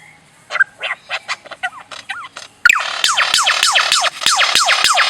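A bird gives a rapid series of harsh, downward-sweeping notes, about three or four a second, starting soft and then growing suddenly louder and more urgent.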